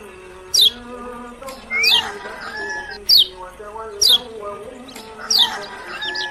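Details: Lemon-bellied white-eye (kecial kuning), Lombok: loud, sharp high whistles sweeping downward, repeated about every second in a steady pattern, with a low constant hum-like background.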